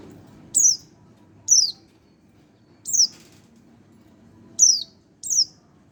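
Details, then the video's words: One-month-old Oriental white-eye repeating sharp, high, falling chirps, five notes spaced roughly one second apart, each a brief downslurred whistle; faint low hum beneath. "burung pleci 1 bulan"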